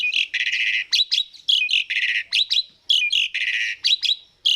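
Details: Asian pied starling song used to lure other birds into singing: rhythmic alternation of rasping buzzy bursts and sharp downward-slurred whistles, repeated in tight phrases throughout.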